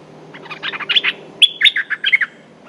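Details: Territorial male streak-eared bulbul ready to fight: a lively run of chattering chirps, then a brighter phrase of sharp whistled notes with a short pause between the two bursts.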